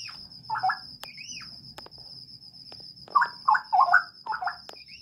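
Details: Straw-headed bulbul held in a breeding aviary: a warbled phrase, then a pause broken by clicks, then a run of four loud bubbling, liquid notes. A steady high whine and low background rumble run throughout.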